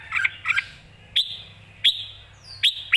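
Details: Red-whiskered bulbul, lively and ready to compete: two quick chirped doublets, then three spaced, sharp rising whistles about a second apart, with a steady low hum behind.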